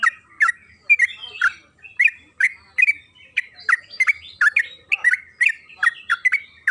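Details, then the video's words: Yellow-vented bulbul (trucukan kebo) in a lure recording meant to make birds sing with long rapid chatter: bubbly, liquid notes in quick bursts, about three a second, over a steady faint hum. "Pancingan trucukan agar bunyi‼️Suara burung TRUCUKAN KEBO Gacor ropel Panjang"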